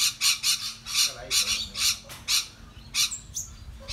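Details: Australian rainbow lorikeets noisily chattering while feeding together, loud grating screeches at uneven intervals roughly twice a second, with a few thin whistled notes near the end and a low background hum.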